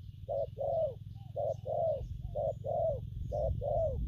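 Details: Spotted dove cooing in styles locally called gù phóng, kèm and gù lăn săn: low paired hooting coos, a short note then a longer downward-curving one, repeated about once a second over a steady low hum.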